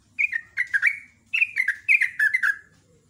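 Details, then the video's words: Morning song of a sooty-headed bulbul in the ropel ngecruk style: three clusters of fluty, chuckling notes, each sliding downward and delivered in rapid, energetic bursts with short gaps between. "SUPER GACOR JOGJOG /TRUCUK ROPEL NGECRUK"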